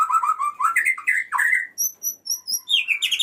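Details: Male white-rumped shama calling a female gives a rich, rapid run of varied whistles, rising and falling slurs, then thin, high, sustained notes and a fluty ending.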